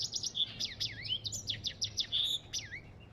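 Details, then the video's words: A brief burst of African goldfinch song, rapid high chirps mixed with dipping whistled slurs and a couple of pure held notes. "اسمع صوت الحسون الافريقي"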